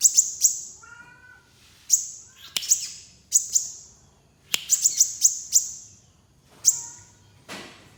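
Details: Crimson sunbird uttering sharp, piercing high chirps, singly and in quick runs of four or five, with gaps between bursts and faint lower tonal notes in the background.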